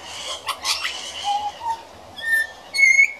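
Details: Juvenile pied butcherbird practising its song while visiting: low soft whistles give way to higher, clearer piping notes that step upward, amid scattered chirps from other small birds.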